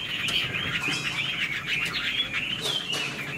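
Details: Caged Chinese hwamei with a fanned tail, playing its wings and flicking its tail as it sings, gives a steady run of warbled, twisting whistles at moderate loudness over a faint low background rumble.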